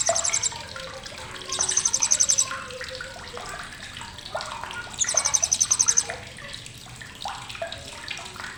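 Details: Sharp chattering of a blue-crowned hanging parrot, a tutoring recording for songbirds: two main bursts of thin, rapid high ticks around two and five seconds, plus a brief one at the start, separated by quieter lower twitters and constant hiss.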